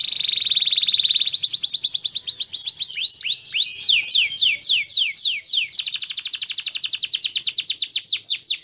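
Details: Canary song beginning with a steady, buzzy, high trill, breaking into quick descending slurs and looping phrases, then returning to a fast, even trill of repeated notes.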